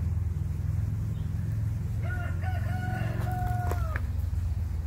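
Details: Tiny bantam rooster crowing back at a big rooster next door: a single drawn-out, steady, tonal crow lasting about two seconds with a small rise at the start, over a constant loud low rumble.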